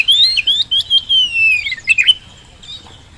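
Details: Oriental magpie-robin song used as a lure to get quiet birds calling, at home or in the field: a fast run of clear whistled notes sliding gradually downward, then a few sharp chips and a fading tail.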